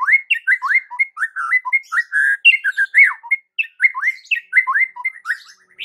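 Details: Captive white-rumped shama song used to provoke other shamas into singing: rapid, varied whistled phrases with sharp upslurred and downslurred notes, repeated about twice per second without pause.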